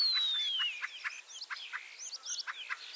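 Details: Common starling song from Liepāja, Latvia, a ringed bird back for its third spring since 25 March 2023: a long descending whistle gives way to rapid clicking and rattling notes mixed with looping squeaks.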